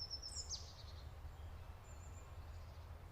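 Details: Golden-fronted leafbird giving a brief burst of song: a high whistled note, then a quick sharp downward sweep and a short buzzy flourish, with a faint thin whistle later against low steady rumble.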